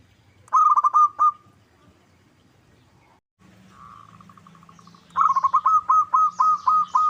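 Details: Lure recording of a local zebra dove meant to draw rival birds into answering. A short burst of rapid cooing notes comes first, then a quieter steady trill after a pause, and finally a long series of loud, evenly spaced coo pulses.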